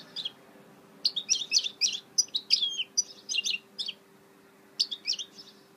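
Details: Goldfinch mule song from 2018: clusters of sharp, high chirps and buzzy twitters in short phrases separated by pauses, with a low background hum.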